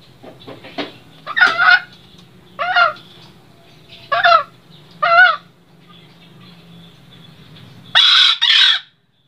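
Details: Green junglefowl from Sembalun in the Lombok highlands, a population living at about 1,700 m: soft clucks at first, then short harsh crowing bursts about every 1–1.5 seconds, ending with two higher, shrill bursts close together.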